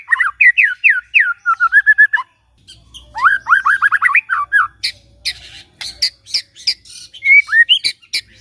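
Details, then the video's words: White-rumped shama song played in the morning to coax a quiet shama into song: quick whistled upslurs and trilled runs, followed by harsh, scratchy broadband notes. "Pancingan PAGI-PAGI AGAR MURAI GACOR❗sekali coba murai DIAM langsung bunyi"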